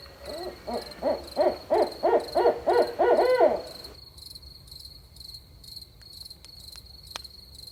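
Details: Barred owl at night rattles off about ten evenly spaced hoots in roughly four seconds, then falls silent. Faint insect drone and a few soft clicks follow.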